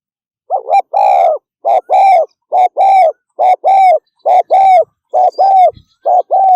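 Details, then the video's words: Spotted dove giving fast 'thúc gù' cooing: quick paired coos, a short clipped note followed by a longer, even hollow coo, repeated rapidly about seven times with brief gaps; no other sounds. "Tiếng chim cu gáy thúc gù tốc độ"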